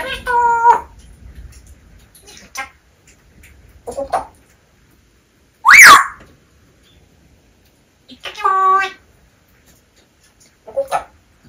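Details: Pet grey parrot talking indoors: short, speech-like phrases with a nasal, harmonic quality come in separate bursts a few seconds apart, with one loud, sharp whistle in the middle.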